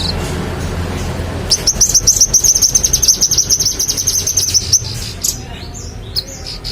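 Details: Magpie-robin singing energetically, recorded as a tutor for songbirds kept for contests: a long, steady string of rapid, sharp high notes lasting about three seconds, then quieter scattered sounds.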